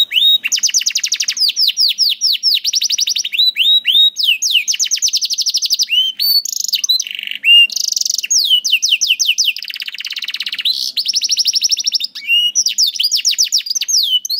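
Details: Long canary song played to teach juvenile canaries and those slow to sing: rapid rolling trills, repeated curved whistles and buzzy tours, shifting smoothly between high sweeping phrases with hardly a pause.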